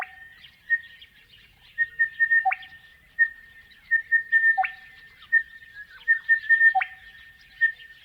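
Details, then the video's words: Crested bellbird song from the Australian outback, a melodic series of rich ringing whistled notes that closes with deeper liquid cow-bell-like notes. Phrases repeat roughly every two seconds over a steady background of chirping birds. "Crested Bellbird Calls - The sounds of a Crested Bellbird in the Australian outback"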